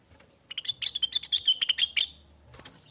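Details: A lesser green leafbird, recorded as a lure sound, sings a lively stream of fast, sharp notes lasting about a second and a half over a steady low background hum.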